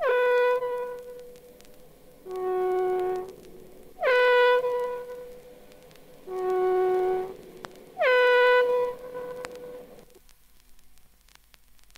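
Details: A horn-like wind instrument sounds two alternating sustained notes, high then lower, each about a second long, repeating roughly every two seconds over low background hiss.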